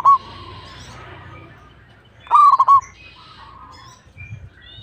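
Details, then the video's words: A local zebra dove sings one loud phrase of four rapid, rolling coos, with a faint coo before it and soft chirps and steady low noise around it. "PERKUTUT LOKAL GACOR"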